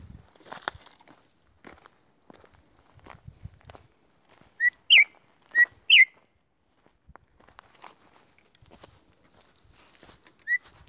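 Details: Female campo troupial call, said to rouse males: four loud, clear whistled notes around five to six seconds in, each rising then falling, with a fainter note near the end and soft rustling.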